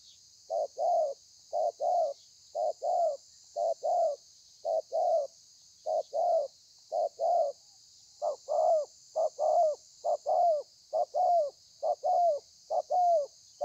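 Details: Kept spotted dove performing an extended thổ pha cooing bout, recorded 30/11/2020: steady train of paired hoots, a clipped note and a longer falling coo, about once per second, growing louder near the end, with background hiss.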